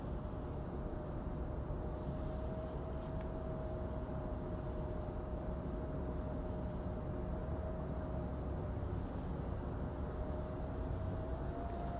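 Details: Steady engine-like rumble with a constant mid-pitched hum and no animal voices.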